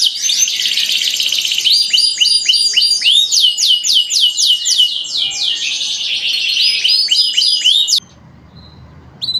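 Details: A training song from five singing canaries: fast rolling trills give way to sharp descending whistled syllables repeated in quick tours, then the song stops abruptly near the end, leaving quiet background.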